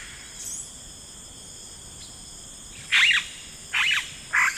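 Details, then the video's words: Yellow-rumped cacique calling in rainforest: three loud, rasping, broad bursts in the second half, roughly a second apart, after a quiet start of faint notes and constant high insect drone. "Yellow Rumped Cacique Sound"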